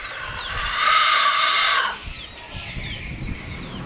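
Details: Rooster crowing: a loud, drawn-out harmonic call held steady for about a second, then cutting off sharply, followed by quieter fainter calls and background rustle.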